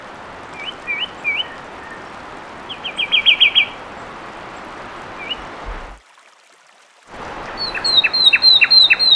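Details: Fulvous wren (Cinnycerthia fulva), a bird of humid montane forest understory in Bolivia and Peru, gives short rising whistles, then a fast bright run of notes, and after a brief silence a high, rapid series of sharp repeated notes over a soft hiss.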